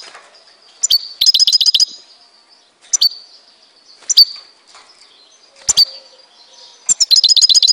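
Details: Algerian European goldfinch, Tizi Ouzou, producing short bursts of rapid ringing notes, each roughly five or six notes long, separated by single sharp, high chips every second or so.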